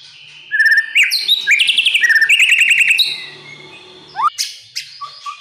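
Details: Oriental magpie-robin (murai batu) singing in a lure and tutor recording for a young bird; steady whistled note, rapid trilled buzzy runs, then sharp rising upslurs and short whistles after a pause.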